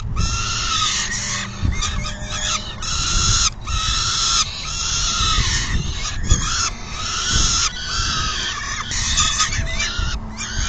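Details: Peregrine falcons at the nest on June 10, 2022, as the female does a full feeding and the male leaves once full. Hoarse, raspy screeching comes in long broadband bursts with short gaps over a steady low rumble of wind.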